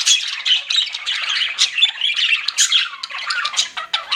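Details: Pet budgerigars chirp in a quick, twittering babble, with thin whistled notes mixed into raspy squawks and a slightly lower, fading ending.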